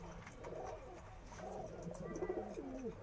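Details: Madrasi pigeon, also called Lodhi pigeon, kept by a fancier in Delhi, India: soft low rolling coos repeated in bending phrases over a faint background hiss.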